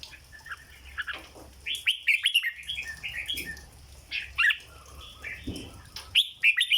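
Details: Caged red-whiskered bulbul in 'dok' song: soft chattering notes building into loud, bouncy whistled phrases that come in quick clusters, with brief silent gaps between bursts.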